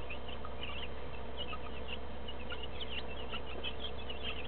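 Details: Broiler chicks, two weeks old, housed together with a few laying hens, giving rapid overlapping high-pitched cheeps and chirps throughout, backed by a constant low mechanical hum.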